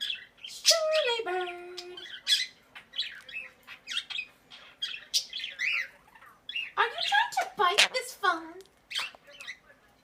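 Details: A pet Quaker parrot indoors giving loud, harsh squawks mixed with chattering chirps and a few clear descending whistled notes, in irregular bursts throughout.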